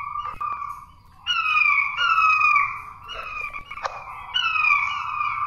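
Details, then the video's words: King quail call played to lure quail, a run of loud falling whistles in clusters, each note sliding down in pitch with ringing overtones, brief clicks between phrases. "SUARA PIKAT.!!!! Puyuh Batu"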